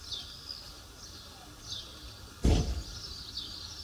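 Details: Swifts in Matallana in 2016 give thin, high, drawn-out screams about once a second over a low rumble of background noise, with one sharp knock partway through.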